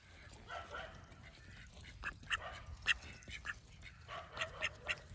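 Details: Several call ducks calling: a run of short, loud, nasal quacks from about two seconds on, some in quick pairs, above a low background murmur.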